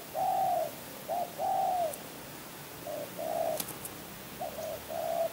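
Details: Spotted dove, a contest bird, giving soft low coos in short phrases, about eight separate notes spread over five seconds, some drawn out and level, some clipped, with a few faint clicks in the background.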